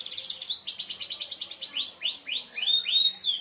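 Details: Sharp merlok canary song for tutoring birds: a rolling trill of repeated notes that slows into long, loud downward-slurred whistles spaced about a third of a second apart.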